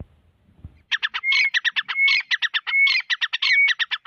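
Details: Grey francolin (teetar) calling. After a brief low thump, a fast, loud series of harsh, clipped notes begins, with a ringing whistled note woven in about every 0.7 seconds. The series runs steadily to the end.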